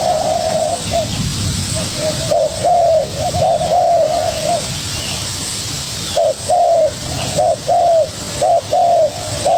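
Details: Spotted dove, a young bird, dueling with a decoy: coos start muffled under rumbling noise, then after a pause clearer paired notes, short then longer, repeat steadily to the end.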